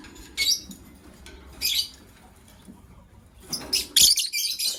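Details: White lovebirds, a paired couple, letting out piercing, scratchy shrieks in separate bursts, the last ones running together into a longer harsh volley, over faint low background noise.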